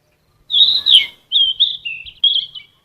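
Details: Yellow-rumped flycatcher, an insect-eating bird, in full energetic song meant for training caged songbirds: a loud burst followed by a run of clear, high warbled whistles, slightly wavering and falling, over a silent background.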